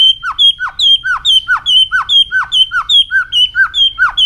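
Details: White-rumped shama training song for fast, intense singing in many voices: a steady, regular repetition of a high whistle plus a sharply falling note, about two pairs per second.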